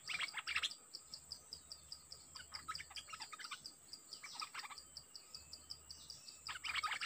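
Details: Decoy dok taeng bird set against a fierce wild-caught bird: scattered bursts of fast chirped, scratchy notes, repeated several times, with a regular ticking insect chorus underneath.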